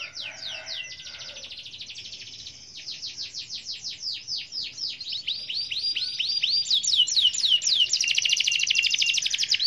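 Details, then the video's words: Canary in full gacor song, intended to prompt other canaries to join in: rapid rolling trills of high descending notes that change pace between sections and grow louder toward the close. "Kenari mana yang diam dengar Kenari gacor ini.dijamin ikut gacor"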